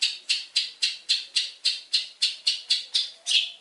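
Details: Long-tailed shrike in a bird-training recording, giving a fast run of harsh, raspy notes at about four per second, evenly spaced, ending on a longer, louder rasp.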